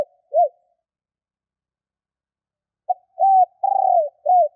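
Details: A decoy female spotted dove calls to lure males. One arched coo ends a phrase, then after a long pause a new phrase begins with a short note, a hooked coo, a longer burry coo and a falling coo.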